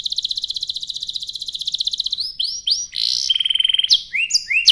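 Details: Canary pouring out a rapid high trill, then rising whistled slurs, a harsh burst and a steady metallic trill, sung to stimulate other canaries to sing.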